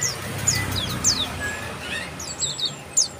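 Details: Bar-winged prinia calling: thin, high downslurred chirps in loose, quick series, some paired, over faint background hiss with occasional soft lower notes.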